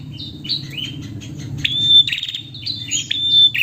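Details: Female prinia calling the male, sharp high chirps and quick downward sweeps, growing louder toward the end with a few buzzy rattles.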